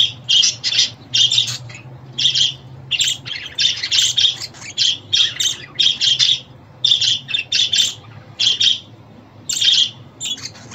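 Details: Budgie sounds to make a pet bird sing: rhythmic groups of raspy chirps, two or three notes at a time, repeated steadily for about eleven seconds with short gaps, over a faint low hum.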